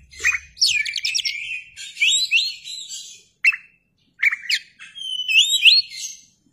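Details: Kacer (white-rumped shama) singing and displaying its open tail: rapid scratchy trills and looping whistled phrases in quick bursts, separated by short pauses.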